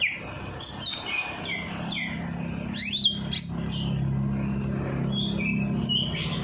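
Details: Bird singing after a night bath to encourage lazy birds; clipped whistled notes and a few sweeping high slurs over a steady low engine-like drone.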